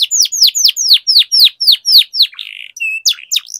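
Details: Canary song played to stimulate other canaries: about ten loud, evenly spaced falling whistles, roughly four per second, then a short buzzy note and a few mixed chirps.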